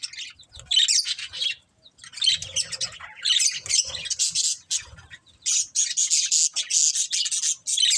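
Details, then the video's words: Loud budgerigar chatter: dense, harsh, scratchy warbling in long bursts, broken by a brief silence near the start, then almost continuous high chirping to the end. "Cute Budgies Chirping Sounds"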